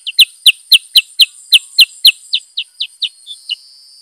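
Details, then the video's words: Loud, rapid Black-headed bulbul series: about a dozen sharp descending chirps, roughly four per second, fading slightly toward the end. "Burung KUTILANG SUTRA GACOR Bongkar Isian ( Pycnonotus Atriceps )"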